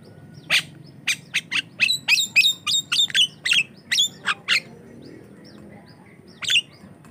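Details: Javan myna lure song for other mynas: a burst of harsh chirps and ringing whistled notes, then a pause before one more call.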